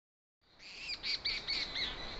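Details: A seabird recorded at night in summer 2013 on an island in the Alaska Maritime refuge gives four or five harsh, squawking notes in quick succession, rasping and high, over a steady background hiss.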